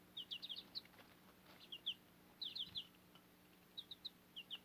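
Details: Nearly grown backyard chicks with a Cochin mother hen on fodder peep in clustered bursts of high, short chirps, three to five at a time, separated by short quiet gaps.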